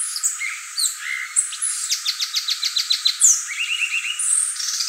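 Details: Violaceous euphonia singing a varied phrase: high whistles and a low chirp, then a fast series of about ten evenly spaced descending notes, then a short rattling trill.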